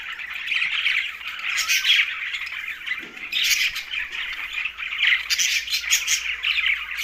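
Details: Green budgerigars chirping and chattering, possibly around a meal, with dense squawky warbling bursts concentrated high in pitch, rising and falling continuously through the clip.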